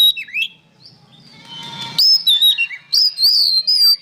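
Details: Oriental magpie-robin (kacer) song used to tutor songbirds: a dipping whistle, a soft buzzy passage, then loud clear high whistles and quick chattering notes in rapid succession.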